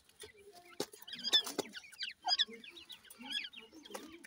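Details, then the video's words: Dhakni and Irani teetar chicks at play and fighting; a rapid string of thin, high chirps and quick twittering notes, interrupted by a few loud clicks. "Dhakni Vs Irani Teetar chicks ki Ladai,partridge chicks playing"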